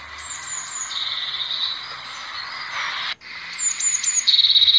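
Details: Blue tit singing high thin whistled notes that run into a buzzy trill, the phrase given twice, the second ending in a rapid sharp trill; constant hiss behind.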